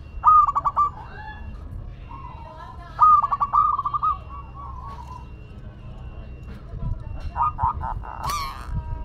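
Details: Zebra dove of local Madura stock: several rapid stuttering coo phrases with soft trailing notes, ending among scattered clicks and noise bursts.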